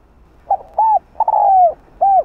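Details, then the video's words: Mellow four-part coo of a spotted dove, sung in 'Rặc Đồng' voice to lure and provoke wild males: clipped start, arched hoot, extended trembling note dropping in pitch, and a rounded final hoot. "Cu gáy kích bổi nhanh nổi/Tiếng cu gáy đất Gáy Gọi Giọng Rặc Đồng kích bổi khó tính mau gáy"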